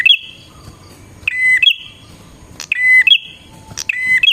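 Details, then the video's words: Lure song of a bar-winged prinia: high chips followed by a sustained buzzy whistle, repeated about every second and a half, with occasional sharp tick notes in between. "suara burung prenjak gacor"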